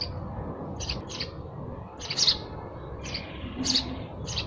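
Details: Sparrow chirps given in small clusters of two or three, high and sharp, separated by short pauses, against a low background murmur.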